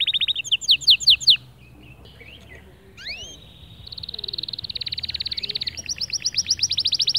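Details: Male white canary singing motivationally to other birds: a loud trill at first, a quieter passage of scattered slurred notes and two rising whistles, then long rapid rolling trills stepping up in pitch.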